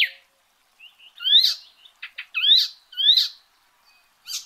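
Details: Icterine warbler giving spaced, loud rising whistled slurs, three similar phrases about a second apart, with soft clicks and short notes between them.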